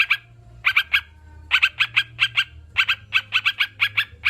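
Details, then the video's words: Sooty-headed bulbul sound meant to spur kept birds to sing and calm them: short bursts of two or three sharp chirpy notes, separated by brief pauses, over a low background hum. "Terapi burung crucukan biar cepat bunyi"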